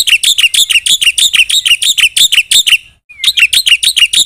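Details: Black-winged myna in loud, busy gacor song with isian fill: a steady stream of quick, metallic chirps, a brief pause with one soft slurred whistle, then more chirping.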